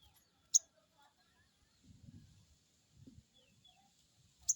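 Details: Crested jay crecet call used to stimulate an untrained bird: two sharp, high, clicking notes roughly four seconds apart, with quiet low murmuring between.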